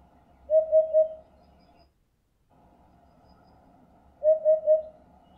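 Eurasian hoopoe giving two soft, hollow triple hoots, 'oop-oop-oop', evenly spaced and low-pitched, about four seconds apart over a faint low rumble.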